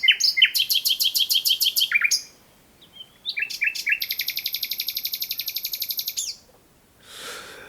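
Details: Loud Common Nightingale singing at night in East Sussex woods: a burst of rapidly repeated rich notes, a brief pause, then a long, fast, ringing trill of about three seconds.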